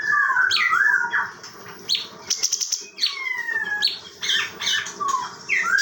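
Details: Chinese bulbul, a captive bird kept as a tutor for training other songbirds in Bekasi, Indonesia: clear whistled phrases sliding down and up, a burst of rattling clicks midway, then sweeping whistles and fast chattering notes.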